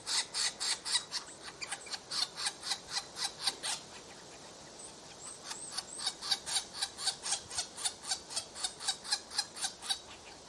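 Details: Begging from woodpecker babies at the nest: long, evenly paced run of scratchy, rasping pulses, roughly four a second, with a quieter stretch near the middle and faint high whistles.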